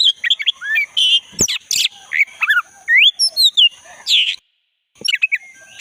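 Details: Forest recording of a black-breasted Oriental magpie-robin singing hard, used to spur caged birds into song; quick varied whistles, upslurred and downslurred notes and scratchy chatter, then a brief silence before more phrases.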